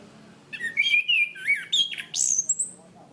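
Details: Orange-banded thrush (Zoothera interpres) kept as a songbird, training recording: a short, loud phrase of sliding whistles rising and falling, ending in a very high thin upward-swept whistle.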